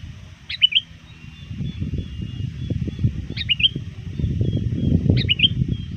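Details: Near dusk, a trained lure sooty-headed bulbul calls to rivals: three brief bubbly phrases a few seconds apart, softer than a rising low rumble of background noise.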